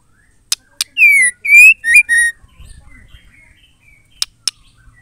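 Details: Female white-rumped shama song, used to provoke male shamas into singing: two sharp clicks, then a phrase of four loud whistled notes. The first note slides downward, the second is long and slightly rising, and two short notes follow. Quiet low rumble afterward.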